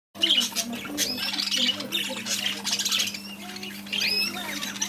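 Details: Newly delivered flock of budgerigars chattering nonstop in overlapping high squawks, chirps and warbles, over a steady low electrical hum.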